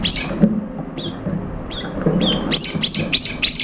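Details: Brown-eared bulbuls competing for food as several birds eat together; sharp, high arched chirps, first scattered, then repeated rapidly about three per second in a loud run, with low rumbling noise beneath.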